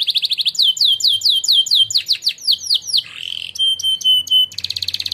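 A canary sings a loud, rapid song: fast trilled bursts, a string of downward-sweeping whistles about twice a second, then a sharp metallic rattle and another buzzy trill.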